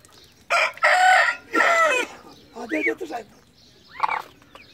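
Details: A Sindhi black francolin, urged on by men's voices, gives three loud, harsh, grating bursts in quick succession, then two softer, higher notes.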